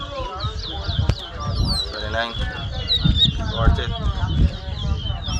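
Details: Competition towa towa (chestnut-bellied seed finch) at Mahaica, Guyana, 2022: a steady stream of high curling whistled phrases carried under voices of a talking crowd.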